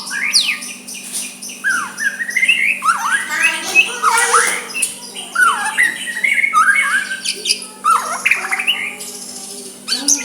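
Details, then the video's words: White-rumped shama soft song to goad a rival into replying, a loud, varied outpouring of harsh squawks, downslurred whistles and rapid chatter, steady low hum underneath. "Murai batu suara lembut cocok untuk MEMEKAT lawan ikut emosi dan saling balas"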